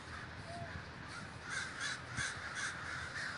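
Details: Crows at a large communal gathering in Davis, California, with the background flock cawing continuously while several nearer birds give loud, rapid, harsh caws in quick succession.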